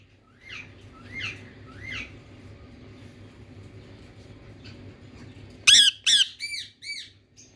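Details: Indian ringneck parrot from India giving three rising, screechy calls about one every three-quarters of a second, then a pause before loud, harsh, harmonic-rich squawks and a few shorter down-slurred calls, over a steady low hum.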